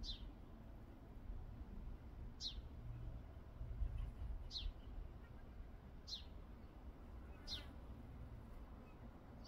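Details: House sparrows at a meal, one giving single short, falling chirps about every two seconds, over a steady low rumble of background noise.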